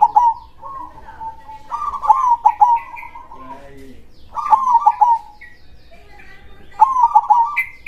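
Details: Actively singing local perkutut, or zebra dove, with a big krosing voice. Soft, rolling coo phrases repeat with short pauses, and faint higher chirps sound in the background.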